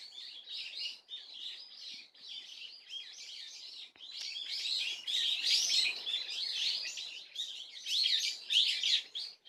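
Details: Swallow twittering on 30 April 2024: lively, high chirps tumble together in a steady chatter that grows louder and busier in the second half, with a few sharper notes rising above it.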